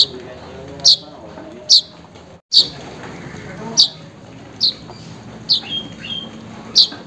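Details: Weaver calling a rival or mate, used to get a silent bird singing: crisp high chips roughly every second, a brief drop-out after the second, and a thin descending whistle near the end.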